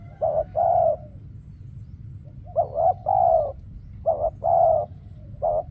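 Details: Decoy spotted dove calling while set out for trapping; three mellow cooing phrases spaced over several seconds, each a clipped double coo leading into a longer held coo, above a low rumbling hum.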